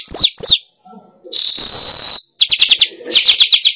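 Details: Lure sound for wild weavers: two high falling chirps, a pause, a harsh sizzling buzz, then bursts of rapid chattering notes.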